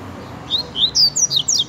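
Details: Caged double-collared seedeater (coleiro) giving a short series of sharp high slurred chirps, five quick notes within under two seconds.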